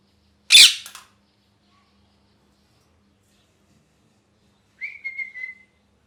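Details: Molting pet parrot, angry, lets out one sharp harsh squawk, then after a long silence a short wavering whistle falling slightly in pitch, in a still indoor room.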